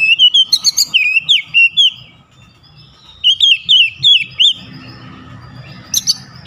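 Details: Oriental magpie-robin in forceful 'tembakan' song, beak wide open: two rapid strings of clear, slurred whistles, about six to eight notes each, followed by quieter low rumbling and a short final chirp.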